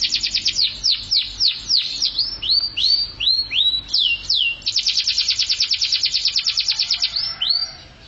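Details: Canary singing in the 'mabok teler' style: rapid series of downward-sweeping whistled notes, then short upswept notes, ending in a long fast buzzy trill repeated about three times per second, all bright and high-pitched.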